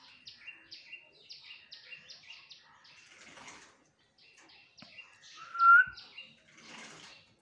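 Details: Common myna, a local Bangladeshi bird, calling while bathing: a run of short chirpy notes about twice a second, a brief pause, then scattered chirps and one louder drawn-out whistled note near the end.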